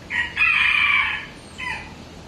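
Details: Ueno Zoo rooster, Japan, gives a shorter crow: a loud strained note held for about a second, fading, then a brief weaker tail note after a short pause.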